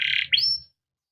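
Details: Canary song used as training material for young canaries, a short buzzy note followed by a rising whistled sweep, then silence.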